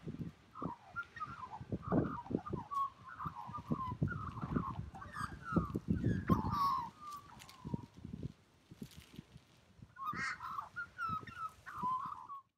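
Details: Australian magpie's melodious singing: long rolling warbled phrases, rich and gurgling, with sliding notes, a pause near the middle, then a fresh burst of song; low thuds and handling noise underneath.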